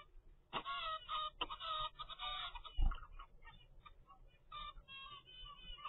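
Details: Young zebra finch, 25 days old, from a home-bred first clutch: short buzzy nasal calls in clusters, with a soft thump and low background hum.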